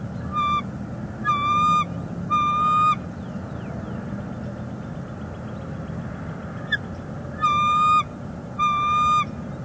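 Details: Female bald eagle brooding a chick on a Northeast Florida nest, 11 February 2021, calls to her mate on a branch: a series of loud, high, piping notes, each under a second, in uneven bursts, with steady low rumble.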